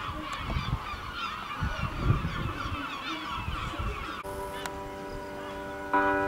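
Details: Gulls circling above a village in El Ortegal toward nightfall, a busy tangle of wavering cries over low rumble, ending with a sudden sustained tonal hum replacing the birds.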